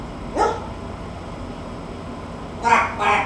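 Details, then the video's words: Pet macaw imitating a dog bark on request: two harsh, raspy bark-like bursts, a single one early and a doubled one near the end, over steady room hiss. "THE TALKING MACAW"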